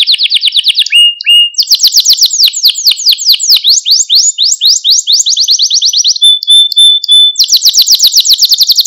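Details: Malta canary song meant to excite caged canaries into singing: long runs of very fast, high chopped trills, shifting in pitch from tour to tour, with a brief steady whistled note near the end before another rapid roll.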